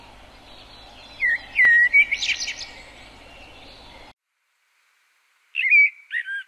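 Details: Common blackbird singing: a fluty whistled phrase that slides and wavers, then a burst of high squeaky twittering, a brief silence, and another short whistled phrase with twitter. A faint steady background hiss is heard.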